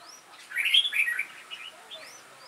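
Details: Red-whiskered bulbuls singing in a contest with an older decoy bird: a short loud warbling phrase of bubbly, fluty notes, with faint high rising slurred whistles nearby.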